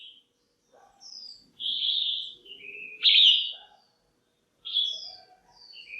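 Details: Female red-whiskered bulbul in a cage calling to excite males or for pairing: a sustained warbling whistle slurring downward, a strong sharp note, then high thin rising notes, with quiet lower chirps scattered throughout.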